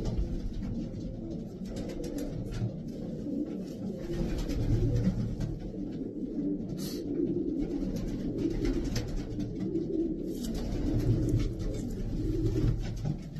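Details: A large group of racing pigeons coos steadily, deep rolling notes overlapping into a dense murmur, with occasional flaps and a short higher squeak.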